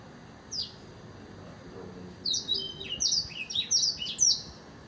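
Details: Blackthroat singing: after a lone faint note near the start, a run of thin, high, sweeping whistled notes enters at about two seconds and grows louder and quicker toward the end, over a low, steady background hum.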